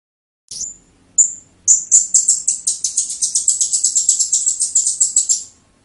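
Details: Blue-crowned hanging parrot singing in the 'teler' style: two thin, very high whistled notes, then a long, accelerating stream of piercing, high chirps.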